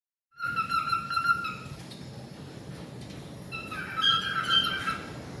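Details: A male cockatiel in an aviary does a heart-wing display while whistling to a female, steady clear tonal phrases, apparently guarding her from a rival.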